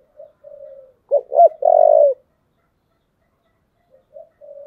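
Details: Spotted dove fighting call in the 'giọng thổ' style: short soft coos, then a clipped stuttering double note leading into one loud, low, sustained coo, a long silence, and quiet coos again.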